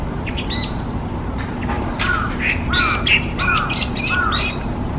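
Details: Hwamei, a bird designated a specified invasive alien species in Japan, gives harsher, lower squawking notes mixed with a few sharper chirps, in short spaced bursts over a constant low hum.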